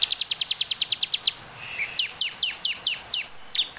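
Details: Bar-winged prinia song played to lure other birds into singing: a rapid run of a dozen sharp high notes, then a slower series of downslurred chirps spaced about a quarter second apart.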